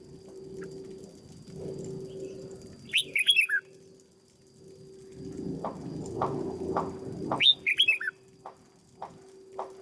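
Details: Red-whiskered bulbul in a cage, trained as a decoy bird, delivers two brief chirpy warbled phrases about four seconds apart, over a steady low hum, background rumble and scattered clicks.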